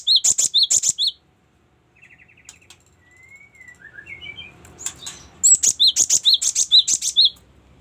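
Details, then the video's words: Cinereous tit song for tutoring cage birds: a short run of sharp high chirps, a gap with soft thin whistles and trills, then a longer run of rapid, repeated, ringing two-part notes. "ada banyak fariasi suara gelatik batu sangat cocok buat masteran"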